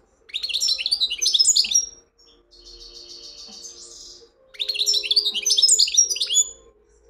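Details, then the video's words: European goldfinch singing two bursts of rapid, tinkling twittered phrases. Between them comes a buzzy, nasal, slightly rising trill lasting about two seconds. A faint low hum runs underneath. "مقنين ويداني"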